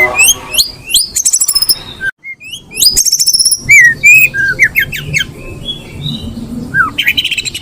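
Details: Breeding-condition female Oriental magpie-robin calls with fast chattering bursts of high notes alternating with clear upslurred whistles, a short pause near the start, and a final falling whistle and rattle.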